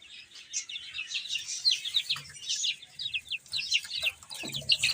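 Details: Baby chickens eating and playing give a lively run of high, falling peeps from several birds, overlapping, ending with a brief low scuffling thump.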